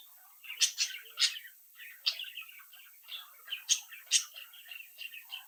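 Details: Young captive budgerigars, leaving the nest and interacting, produce quick high chirps and scratchy warbles in irregular bursts, some notes loud and piercing, others soft chatter.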